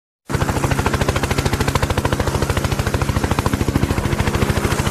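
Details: Rapid, evenly spaced heavy pulses like a running engine or machine gun, nearly three per second, continue without a break after a short silence, with no animal voice audible.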